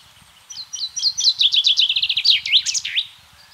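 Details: Spring song of a common chaffinch recorded in the countryside of central France on 24 March 2012: a bright, accelerating run of sharp notes that descends into a rapid rattle and ends with a flourish, lasting about two and a half seconds.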